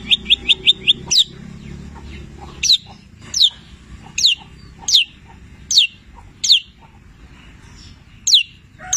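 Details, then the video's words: Long-tailed shrike, 'petir' type, singing a tutor song rich in labet and canary imitations: a quick burst of five clipped high notes, then sharp downward-slurred whistles spaced roughly every second. "Masteran Cendet Petir gacor, Full isian mewah Labet dan kenari Tonjolan Cililin"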